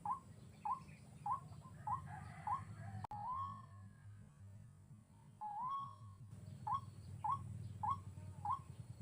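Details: White-breasted waterhen calling during trapping with a hanging snare trap: short, upslurred notes repeated about twice a second, with a few longer rising notes midway, over a steady low hum.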